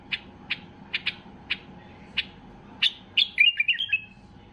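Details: Highly worked-up white-eared bulbul calls other bulbuls into song: half a dozen evenly spaced chirps, then a rising run into a rich, tumbling warbled phrase.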